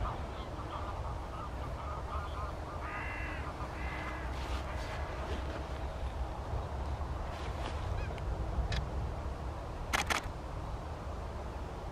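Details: Greater white-fronted geese in winter at Wimpole Hall, Cambridgeshire, December 2020: a few clear, laughing, yelping calls midway, then sharp clicks and knocks, all over a constant low rumble.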